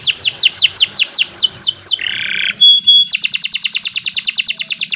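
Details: Domestic canary delivering long, unbroken 'gacor' song meant as masteran for training birds: falling whistled sweeps, a rasping buzz, bright ringing whistles, then a rapid ticking trill.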